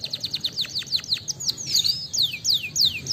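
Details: Canary song used as a lure to set other birds singing: a rapid run of high downslurred notes speeding into sweeping whistled phrases that fall in pitch, repeated about every quarter second.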